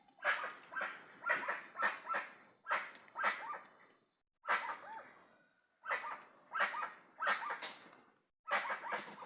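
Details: Flock of guans in the wild calling: loud, harsh, yelping notes in rapid clusters of three to five, the clusters separated by short pauses, broadband and slightly honking in tone.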